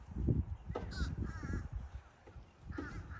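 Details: Wild limpkin in southwest Florida wetland: two loud, quavering, harmonic wails about two seconds apart, set against strong low-pitched rumble from wind or microphone handling.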